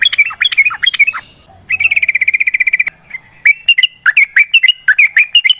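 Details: Sooty-headed bulbul in a long fighting song used to draw other birds into song: a tumble of slurred whistles, then a fast even chatter of about a dozen clipped notes, then spaced bright whistled pairs.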